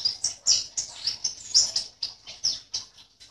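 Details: Softer passage from a caged white-eye in an online singing contest, Sambas, West Kalimantan: a chain of short, high chirps about every quarter second, with slight background rustling.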